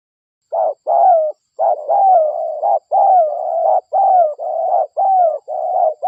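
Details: Local spotted dove, vigorously calling, used as a lure to attract other doves: a steady chain of mellow, low, hooting coos with slight upward and downward bends, phrases following almost without break over six seconds.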